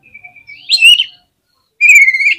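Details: Oriental magpie-robin in agitated song meant to provoke rival birds: a long, even whistled note sliding into a sharper rising phrase, a pause of under a second, then a second bright whistled phrase with rich overtones.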